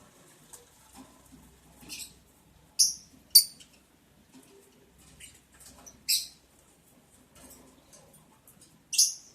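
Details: Mating lovebirds, breeding day 11, recorded 11 July 2022: loud, piercing high chirps, about five strong ones at uneven intervals, mixed with fainter squeaky notes and quiet pauses.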